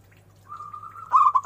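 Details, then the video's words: Local zebra dove with a big voice: a thin steady whistle gives way to a loud burst of quick bending coos. "perkutut lokal gacor suara BESAR DAN BERCENGKOK"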